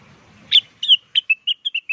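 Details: Loud, close blue-winged leafbird lure song: a sharp opening note followed by a string of bright, slurred whistles, each a little lower, in quick succession.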